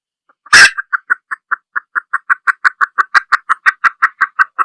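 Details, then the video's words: Female red junglefowl opens with one loud, harsh squawk, then settles into a long, even run of short clucks at about five per second. "Tiếng gà rừng(Mái)"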